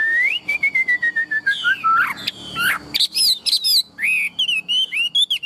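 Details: A tame Chinese hwamei with a big build sings a long, slowly falling whistle, then rapid rising and dipping whistled notes in a lively, varied string.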